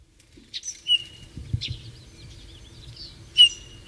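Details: Eurasian bullfinch; soft, plain whistled notes, each held briefly at a steady pitch, three spaced over four seconds, with faint rustling between.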